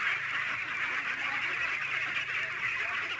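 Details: Roughly 600 domestic ducks on a farm in San Agustin call together in a constant, even din of rasping quacks layered thickly over one another.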